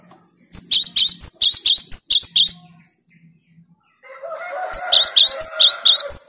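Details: Gelatik batu (cinereous tit) in a loud, clear, rival-provoking song: a long run of sharp high repeated double notes, a pause, then a low buzzy rasp joined by more ringing high phrases.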